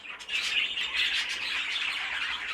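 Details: Many captive exhibition-style budgerigars in a cage-bird room, including a nest box of young, chatter continuously in a dense, scratchy wash of high squawks and warbles with no pauses.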